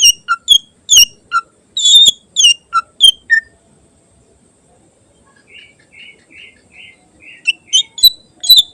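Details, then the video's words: Greater green leafbird song with inserted mimicry, used as a training recording for other birds. Rapid sharp chirps and low notes come first, then a quiet series of five soft whistles and a few bright closing chips. "Burung Cucak Ijo Isian Istimewa Cocok Buat Masteran"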